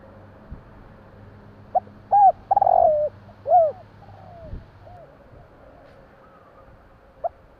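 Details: Soft nocturnal cooing of a spotted dove: a few rounded arched coos and one long purring note, then quiet with only a low hum and a faint thump.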